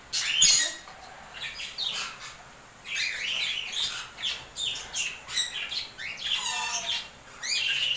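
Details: An African grey parrot, fed okra, makes bright chirps and scratchy high squawks in quick bursts, then a short rippling whistle near the end, with quiet talking in the background.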